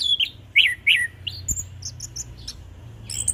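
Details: Orange-headed thrush, known locally as anis kembang or punglor, singing a relaxed ngeplong-style song: short whistled and buzzy notes around the upper-middle range, varied phrases with higher thin chirps, over a low hum.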